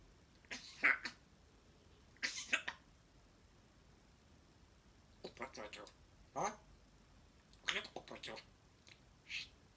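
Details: A talking grey parrot in the morning speaks in short, speech-like bursts and clicks, a phrase every second or two, with bright squeaky notes between, indoors in a quiet room.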